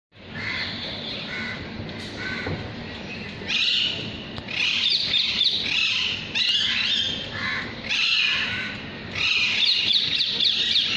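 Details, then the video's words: A parrot gives harsh, chattering squawks and screechy calls in bursts every second or two, loud and high-pitched throughout. "parrot sound"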